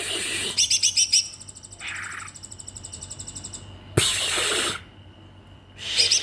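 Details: Magpie-robin in a cage, left alone with only feed while its keepers went home for the holiday, bursting into song: a quick high pulsed run, a short lower buzzy note, a loud harsh rush, then high notes returning.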